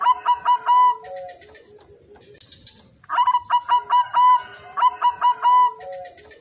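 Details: A red-eyed albino female zebra dove calls to lure males and stir them to respond. Quick runs of clear, ringing coos close with a lower sliding note, and the phrase repeats after a short silence.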